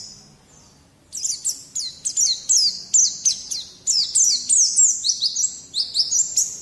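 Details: White-eye singing in a recording used to train young birds: a second of quiet, then a fast, steady string of high downslurred chirps, roughly three per second, continuing to the end.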